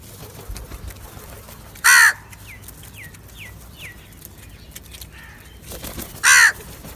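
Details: Two loud, rasping crow caws about four seconds apart. Between them a small bird gives a run of quick, falling chirps.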